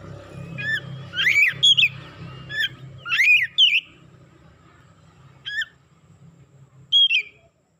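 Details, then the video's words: Oriental magpie-robin (kacer) growing excited, giving scattered loud whistled phrases with sharp rising and falling sweeps, spaced by pauses, over a faint low hum. "DENGAN HITUNGAN DETIK KACER NAIK EMOSI BONGKAR ISIAN"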